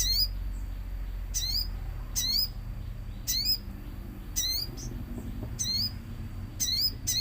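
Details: Common iora lure recording meant to provoke singing, set with nature sounds: short bright chirped phrases with rising-falling sweeps, repeated every second or so over a low rumbling background.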